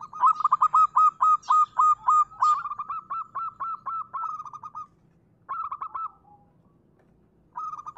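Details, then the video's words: Zebra dove of the local perkutut type: a loud sustained run of quick, bubbling repeated coos, fading slightly, then a short burst and a pause before another phrase begins. "Suara asli perkutut lokal."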